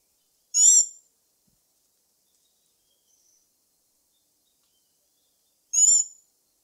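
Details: Black-backed tanager (Stilpnia peruviana): a pair of brief, shrill, layered high notes about five seconds apart, with a faint thin whistle between them, otherwise silent.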